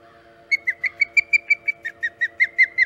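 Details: Osprey arriving at its nest on Hog Island at 5:37 am EDT, 13 August 2019, early morning; after half a second of quiet, a steady run of about thirteen clear, whistled chirps, each slightly falling, nearly three per second, with faint background hum.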